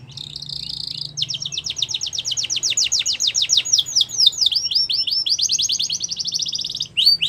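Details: In the wild, a yellow canary sings a short buzzy trill, then long runs of rapid sweeping notes and rolling trills, bright and high-pitched, with faint low background hum.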